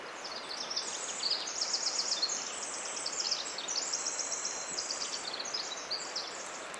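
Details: On a misty late-May morning in the old-growth western redcedar forest of Ross Creek Cedars, northwestern Montana, after overnight rain, a male Pacific wren building his nest pours out a long, rapid cascade of high tinkling trills over dripping rain hiss.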